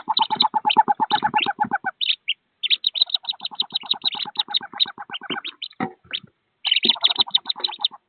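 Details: Thirteen wood duck ducklings leave a nest box roughly 15 feet up, jumping to their mother before walking to a river. Dense high peeping overlaps steady trains of quick, lower throbbing notes, pausing briefly before resuming.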